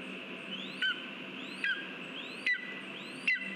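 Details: At the nest during a mouse delivery, a lesser spotted eagle gives four short high yelps. Each note rises and then drops, and they come roughly every 0.8 seconds against a constant hiss. Recorded 13 August 2023.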